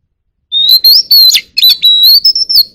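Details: Oriental magpie-robin singing in forest voice to call the flock: silence, then a rising whistle opens a continuous, varied run of sweet whistled notes mixed with chattering trills, ending on sustained high whistles.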